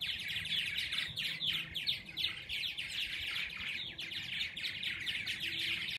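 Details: Dozens of purple martins feeding and nesting in an open back-yard area near Lake Balboa: a dense, continuous chorus of overlapping chattering and gurgling notes from many birds, with no pauses across the whole stretch.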